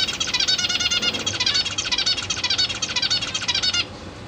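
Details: Zebra finch chicks in a cage, hatched recently, calling while their parents feed them, recorded 22 September 2023: a dense, fast run of buzzy, harmonic rasping notes for almost four seconds, then a sudden stop.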